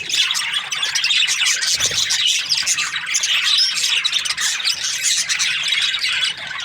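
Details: Budgerigars in breeding season, a dense flock chattering continuously with busy high warbles, chirps and squawks, no pause across the recording.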